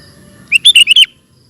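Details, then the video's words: Sooty-headed bulbul singing in the fast, busy 'ropel gacor' style: a brisk burst of five bright, chirpy notes, some rising and some falling, lasting about half a second, with little background sound. "Burung Kutilang Ropel Super Gacor"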